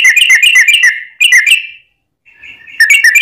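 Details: Yellow-vented bulbul giving a long rapid song used to lure other bulbuls into singing; fast chattering bursts of bright notes, a short silence, a thin drawn-out whistle, then the rapid chatter resumes.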